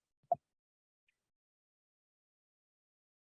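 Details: Near silence indoors, broken only by a single short soft plop or tap near the start.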